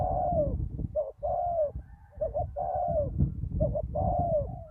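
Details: Spotted dove decoy at a ground-level lure site after a storm, with a deep-voiced wild dove: rounded, falling coos and brief doubled notes in close succession, set against heavy low-pitched rumble.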